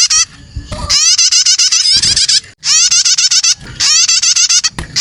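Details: Young prinia calls used as a starter lure to draw other birds: rapid bursts of buzzy, rising harmonic chirps, stacked tightly and repeated in long strings broken by short pauses, with faint low rumbling beneath.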